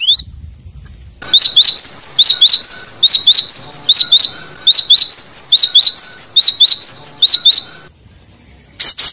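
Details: Cinereous tit in the wild, a lure call to draw rivals, repeats bright, high, sharp two-note phrases in a quick, steady series for about six seconds against a quiet background.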